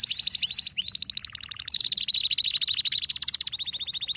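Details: Male canary singing excitedly, stringing together dense rolling trills at several pitches, one stepping down and back up, all fast and metallic.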